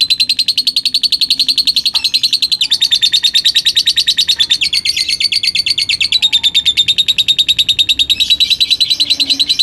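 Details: A contest-winning lutino lovebird from Gresik, East Java, gives a long, unbroken chattering trill. It is a fast, high, buzzy rattle that runs without pause, with only slight shifts in tone.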